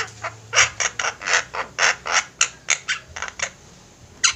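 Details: Javan mynas calling in a group, recorded as training material: a fast series of loud, grating squawks, roughly three per second, fading into a few softer rasps.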